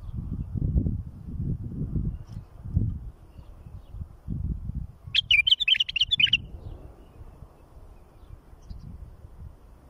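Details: Bulbul singing, recorded for teaching fledglings: a lively phrase of rapid, chattering whistles about a second long comes mid-clip, set among repeated low thumps and a soft background hiss.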